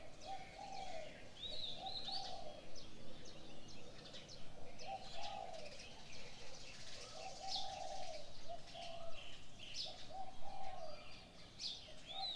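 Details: Morning bird chorus: soft low cooing phrases repeat about every second or two, with scattered high thin chirps and tweets from other birds over faint background noise.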